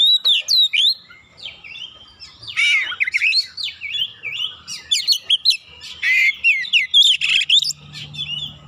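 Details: Oriental magpie-robin singing to provoke a rival: a loud, fast, varied medley of whistled slurs, sharp rising and falling notes and buzzy bursts, phrases tumbling almost without pause over a faint low hum.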